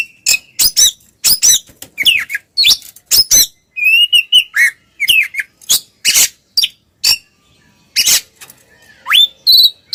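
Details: Oriental magpie-robin, twin birds in ngeplong singing meant to rouse mute magpie-robins; dense run of harsh, clipped broadband notes interleaved with short whistled slurs, then a sweeping upward whistle near the end.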